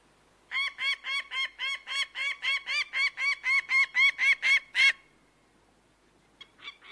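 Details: Bird of prey giving a rapid run of loud, evenly spaced nasal notes, roughly three per second for about four seconds, then silence before a few fainter notes at the end.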